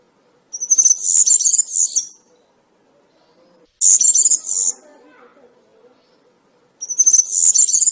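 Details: European serin, campero-style song: three separate short bursts of shrill, jangling twitter about three seconds apart, with soft low murmuring between them.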